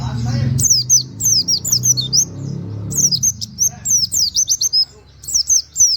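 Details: White-eye in nembak style with canary-like "wit wit" phrases, used as training material for other birds: rapid bursts of sharp, high, downslurred chirps, with a brief pause near three seconds, over a low rumble at the start.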